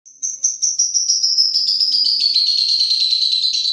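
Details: Lovebird singing in the long-pulling 'tarek sugan' style, described as contest-ready: a rapid, high, thin trill of repeated chirps that starts sharper and slowly drops in pitch, becoming a continuous buzzy rattle by the end.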